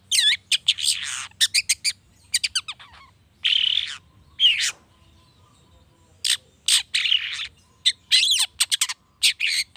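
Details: Long-tailed shrike song meant to trigger other shrikes into singing: clusters of quick scratchy notes and bending whistles, longer buzzy bursts in the middle, a quiet gap, then a renewed dense volley.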